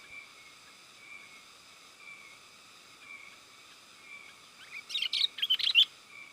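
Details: Sooty-headed bulbul lure call for attracting wild birds: faint steady tones at first, then near the end a loud burst of rapid bubbly, chattering notes lasting about one second.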